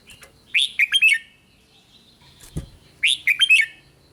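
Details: Red-whiskered bulbul singing to rouse other bulbuls, two quick phrases of clear, bouncing whistled notes with a dull knock between them against a quiet background.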